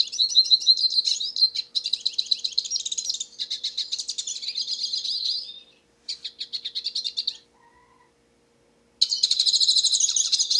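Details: Black-headed pintassilgo, a wild finch singing freely in nature: high, rapid twittering phrases with trills and buzzy notes, broken by short pauses and one longer silence before a fresh burst.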